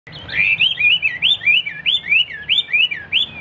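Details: Caged Hwamei kept as a fighting and display bird in Vietnam singing a run of loud, clear whistled phrases. Each phrase is a quick rising-then-falling slur, repeated about every third of a second for over three seconds, with faint low background rumble.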